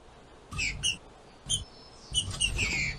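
A female green-winged saltator gives short, harsh, chattering phrases in quick bursts, sung to stimulate a male.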